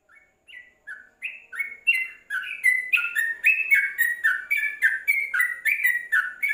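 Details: Yellow-vented bulbul kept in a covered cage, singing a rapid run of short bubbly whistled notes that rise and fall, starting soft and building to a steady loud chatter of about three or four notes per second.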